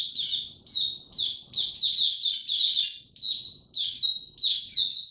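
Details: Oriental white-eye singing in buka tiong aw style, brought into form, recorded 3 January 2022. Repeated bursts of bright, high chirps and fluty slurs, each burst under half a second, following one another closely.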